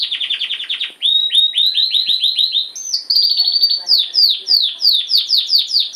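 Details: Captive canary singing a rapid rolling song, series of quick descending whistled notes repeated several per second, changing to steadier higher trills midway, then back to sweeping downslurs, loud and clear.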